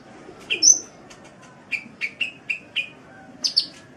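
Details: Kolibri, meaning sunbird, in a songbird training recording: a sharp high whistled note, then a run of five evenly spaced lower chirps about a quarter second apart, ending in two high squeaky notes.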